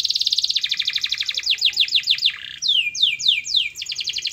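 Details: Canary song used to prompt silent canaries into singing back: a loud, rapid rolling trill, then a series of sweeping downward-slurred whistles, finishing with another fast trill.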